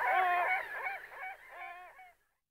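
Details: Great black-backed gull uttering a run of coarse, nasal, harmonic calls that start loud and fade over about two seconds, the notes blurring into a throaty, wavering sequence before stopping.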